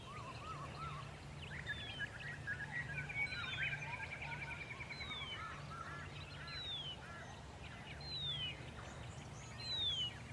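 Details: Horsfield's bronze cuckoo singing in early-morning sun near Dayboro, SE Queensland, Australia, November 2021: high, thin descending whistles, one every second or two, over chattering of other birds and a low steady hum.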